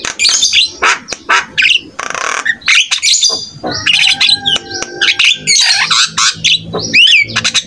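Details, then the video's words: Lively buffalo starling (jalak kebo) song for teaching young birds: scratchy chatter and clicks, a brief rasping buzz, sustained level tones, then looping whistled phrases, delivered in quick bursts. "SEMUA JALAK PASTI IKUT NYAUT"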